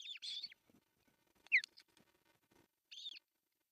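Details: Osprey nest in Pohjois Satakunta, Finland, on June 10, 2024, as the male brings fish for breakfast. A few high arched whistles are heard, with a sharp rising squeal in the middle and faint low rustling.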